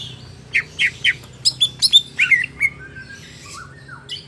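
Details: Greater green leafbird, a market-bought bird, singing: three slurred chirps, then a fast run of sharp high whistled notes and a couple of fading lower warbles.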